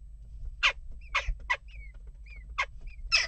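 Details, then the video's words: Agitated jackdaws at a nest box give several loud, rasping single calls at uneven intervals, while short, thin, slurred whistles from a smaller bird sound in the gaps. "Onrust blijft door--kauwen"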